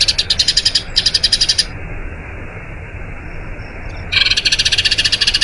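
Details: Eurasian tree sparrow rolling song for training other birds: quick, high chirps for under two seconds, a silent gap of more than two seconds, then the fast chirping resumes.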